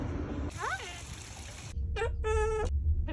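A cockatoo gives a few short, speech-like phrases: a quick rising-and-falling slur, then two nasal, meow-like syllables, over a steady low rumble.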